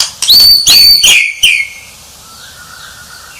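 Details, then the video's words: White-rumped shama giving loud high sweeping whistles and a harsh note, then a quiet low trailing whistle. "Suara Murai Batu Sang Juara"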